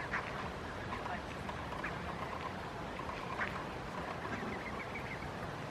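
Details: Barnacle geese grazing on a lawn in Helsinki, Finland, in September 2022, giving short yelping calls at irregular intervals, some louder and higher, over a steady rumbling background noise.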